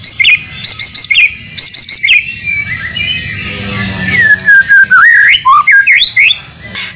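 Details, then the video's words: Song used to train caged white-rumped shamas (murai batu), with material from other birds: rapid repeated sharp chip notes early, then a run of loud whistled, swooping and warbling phrases over a constant high hiss. "masteran murai batu yakin 100% bikin gacor setiap saat"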